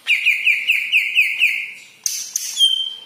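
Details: Yellow-headed green leafbird delivering a quick string of repeated whistled notes, about six in a row, then sharp clicks and a high thin whistle.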